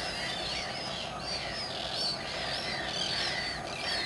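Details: Common terns at RSPB Saltholme, 17 July 2012, recorded on a Canon 7D: high, arched squealing calls from several birds overlapping almost continuously over steady background noise.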